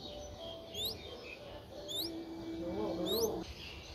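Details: Four-day-old Streak-eared Bulbul nestling in Ubon Ratchathani, Thailand, recorded 6 April 2023: thin upward-sweeping high chirps given in quick pairs and short runs, with a faint low hum and steady background noise.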